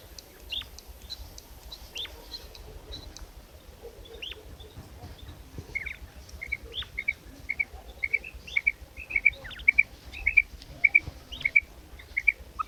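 A female common quail gives short, high paired notes, repeated rapidly over the second half. Thin chirps from other birds are heard throughout.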